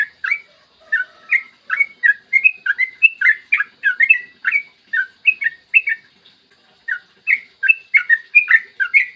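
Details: Yellow-vented bulbul in full morning song, used to make other bulbuls sing quickly: a long run of bubbling liquid whistled phrases, each note rising or falling, given in quick uneven bursts.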